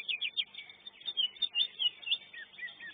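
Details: Greater green leafbird singing at a songbird contest, pouring out a fast, varied song of high whistles, chirps and slurred twitters, closely spaced phrases with hardly a pause.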